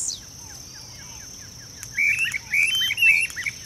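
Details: Streamer-tailed tyrants, a pair displaying in marshland at a fish farm in Goiânia, Goiás, Brazil, 26 December 2017. Soft faint chirps come first, then three loud, sharp squeaky notes in quick succession, with a steady insect whine throughout.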